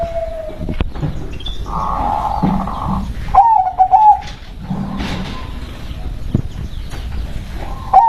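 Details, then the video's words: Local zebra dove cooing: a few soft, rolling trilled coos amid steady background hiss and low rumble, with faint higher chirps from other birds. "SUARA PERKUTUT LOKAL BERKODAM"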